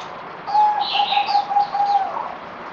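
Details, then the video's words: Zebra dove (merbok) kept as a songbird, recorded 17 April 2020 on the fourth day of deworming: one rapid rolling phrase of staccato coos on an even pitch lasting about one and a half seconds, with higher chirps from other birds. "Merbok Zebra Dove"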